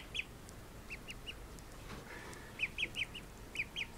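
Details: Several call duck ducklings after their nap, peeping in quick high chirps, first a cluster, then a pause with soft rustling, then a fresh burst of four or five peeps.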